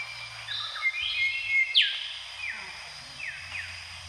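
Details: Mangrove whistler recorded in Brunei in 2013: clear whistled notes, a steady tone then sharp downward-slurring whistles, with short falling notes spaced irregularly over a quiet background.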